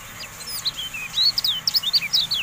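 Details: Javan white-eye singing: a short, lively run of sharp, high, slurred chirps, some sweeping downward, delivered quickly and unevenly against light background noise.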